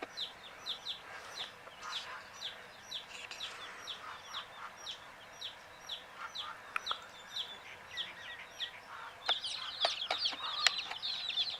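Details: Many sleepy domestic chicks peeping together, a dense chorus of short high downward-sliding peeps overlapping continuously, with a few sharp clicks and a louder burst of peeps near the end.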